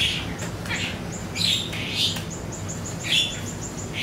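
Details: Siri-siri song used as a lure recording to prompt songbirds to answer: loud, short chirping bursts recur roughly every second and a half, over a steady, high, evenly dotted trill and faint low background hum.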